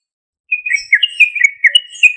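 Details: Lure recording of a loud sooty-headed bulbul; after a short silence, a quick series of bubbly, slurred whistled notes that rise and fall in rapid succession.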